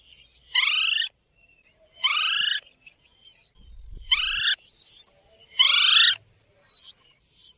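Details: Green rose-ringed parakeet calling: four harsh, raspy, downward-sweeping squawks, each about half a second long and spaced roughly every one and a half seconds, with faint chirps between them.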